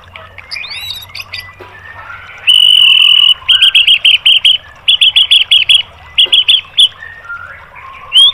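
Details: Training song of a white-rumped shama for caged birds: soft twittering, then a loud, buzzy, sustained note followed by several short groups of rapid, sharp, chattering notes.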